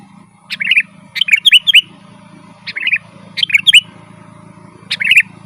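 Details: Sooty-headed bulbul in rolling, chattering song for luring wild birds: bursts of sharp notes and looping whistles, spaced irregularly every one to two seconds, with a faint low hum underneath.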